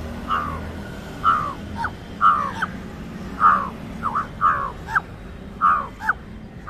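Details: Indian jungle crow uttering its distinct call to frighten other birds: harsh, rasping caws, often in pairs of a longer note and a short clipped one, repeated about every second over a low rumbling background.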